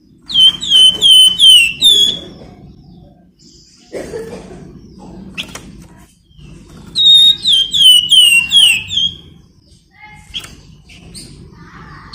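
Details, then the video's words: Flamboyan bird singing in a shrill nyiul style, used as a lure for other birds: two bursts of rapid, falling whistled notes separated by several seconds of quieter chirps and soft background rustling. "Burung Flamboyan Gacor, Nyiul Cocok buat Pancingan"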